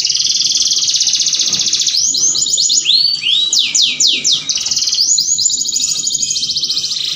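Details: Canary mating song used to stimulate other canaries: a continuous high trilled warble, then rapid downward-sweeping whistled notes in quick series, returning to a bright sustained trill.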